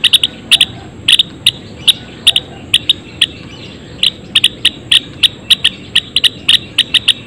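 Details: Java sparrow (Padda oryzivora) kept in a colony cage, giving sharp, clicky metallic chips in loose clusters, about twenty notes over seven seconds, some doubled, with a faint steady high whine and low room noise behind.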